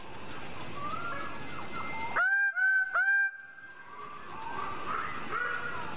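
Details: A greater bird-of-paradise (Paradisaea apoda) calling a quick series of three strong, nasal, steady-pitched honks amid constant busy forest chatter of other birds.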